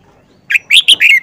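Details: Wild-caught adult Red-whiskered Bulbul, caged for four months, delivers a loud four-note whistled phrase after brief quiet; notes are sharp and ringing, the closing one longer and sliding down.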